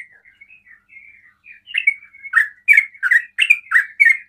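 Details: Sooty-headed bulbul singing in the ropel style, said to provoke other bulbuls into calling; soft warbled notes near the start build into loud, bubbly two-part chirps repeated in quick succession.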